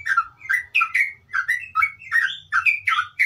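Yellow-vented Bulbul in rapid, bubbly chatter: short gurgling phrases of rising and falling notes, about three per second, over a faint low hum.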